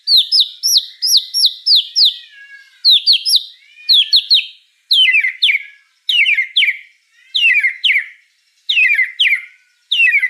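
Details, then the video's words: Energetic murai batu (white-rumped shama) song: tight clusters of ringing whistled notes with sharp high flourishes, delivered in bursts about once a second, some phrases dropping lower and more warbling. "Suara kicau burung murai batu gacor"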